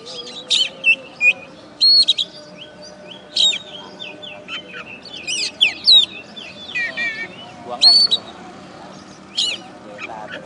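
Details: Contest-winning oriental magpie-robin, kept caged in West Kalimantan, Indonesia, singing loud sharp whistled notes and wavering warbles separated by short pauses, with some harsh buzzy phrases and a faint background hum.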